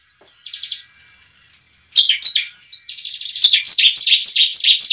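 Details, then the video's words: Fighting song of a bar-winged prinia, played as a lure so a new bird sings and fights: a soft opening note, a pause, a few sharp chips, then a loud, fast run of high repeated chirps. "pancingan ciblek ampuh membuat ciblek bakalan langsung gacor"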